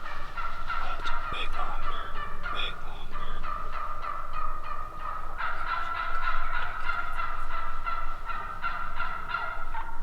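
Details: A flock of wild turkeys calling nonstop in fast, repeated yelps, the notes stacking and overlapping, with a few sharp clicks early on.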